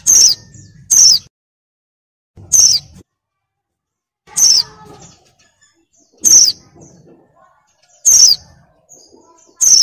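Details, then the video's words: Breeding female oriental white-eye luring a male with repeated high, thin calls. Each note slides quickly downward, and they come at irregular gaps of one to two seconds over soft background hum. "PLECI BETINA BIRAHI NGECIR MANCING SUARA JANTAN LANGSUNG GACOR"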